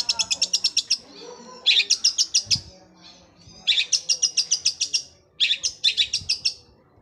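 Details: Long-tailed shrike delivering gereja Kunti song, described as a sewing-machine roll: four separate bursts of rapid, high, evenly spaced ticking notes, parted by short silences.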